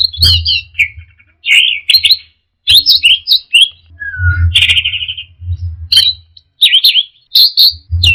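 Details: Teler-style song of an orange-headed thrush: bursts of varied whistles, buzzy warbles and sharp chirps separated by brief pauses, one lower drawn-out whistle near the middle, all over a repeated low rhythmic thumping in the background.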